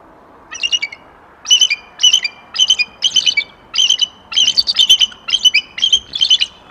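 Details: Bald eagle pair calling together before an attempted copulation in January: series of sharp, high piping chirps in quick stuttering bursts, roughly ten phrases, repeating steadily against a quiet background.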